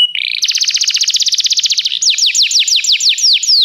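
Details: Canary song used for training other canaries: a brief rising note, then a fast, even trill of rapid high notes, followed by a slower series of descending whistled sweeps repeated about every quarter second.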